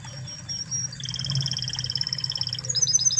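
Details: Original Spanish Timbrado canary song, softer here: thin high notes, then a long even bell-like trill of clear pulses rising slightly toward the end, with a low background hum.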